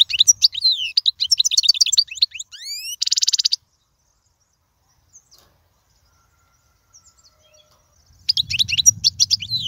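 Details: European goldfinch song for tutoring young birds. Quick twittering runs into rising whistles and a brief buzzing trill, then a long silence. Song resumes at the end over a low rumbling background noise.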